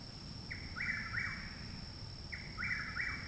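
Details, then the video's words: Nearby chuck-will's-widow in Parkersburg, West Virginia, singing loudly on 29 May 2019, one month after arrival; two complete emphatic whistled phrases, each a soft starting note followed by a swooping double slur, with a steady high-pitched hum throughout. "Chuck Wills Widow Singing Loudly Very Nearby"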